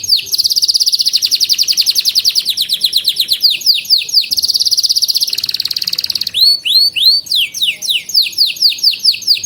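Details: Canary, used to train youngsters and lure non-singing birds, delivers a long rapid trill of close-set notes, a run of descending swoops, another buzzy trill, then clear ringing upswept whistles repeated in quick series.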